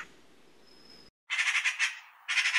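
A magpie gives a harsh, rattling chatter in two bursts of rapid grating notes, after a short stretch of quiet background hiss.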